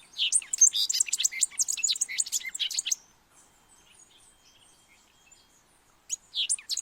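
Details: Song of the thick-billed euphonia in Colombia, used to call birds in: three seconds of rapid, high, jumbled chips and twittering notes, a pause of about three seconds, then a brief second burst of sharp chattering.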